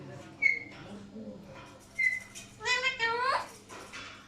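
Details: Alexandrine parakeets: two thin, pure whistled notes, then a run of loud harmonic calls that bend downward in pitch, over a low hum.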